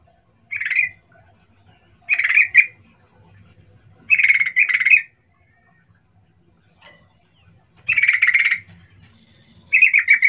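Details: Lure call of a yellow-vented bulbul, meant to provoke a fast answer from other bulbuls: short, harsh chattering bursts, some doubled, recurring every two seconds or so over quiet background.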